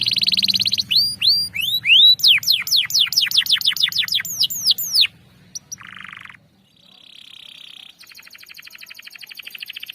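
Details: Canary ngerol song meant to draw out a silent canary: strong sweeping downslurred notes in quick rhythmic runs, a brief pause with short buzzy bursts, then a fine, fast high trill.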